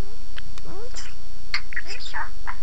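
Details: A parrot talking in Armenian, producing short speech-like phrases with rising and falling tonal sweeps and raspy syllables, a steady hum underneath.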